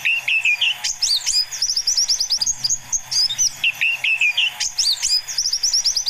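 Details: White-eye song used as a lure to draw in young wild forest birds: quick high twittering with warbled lower phrases, then bursts of rapid sweeping, chattering notes, repeated in dense sequences with little background noise.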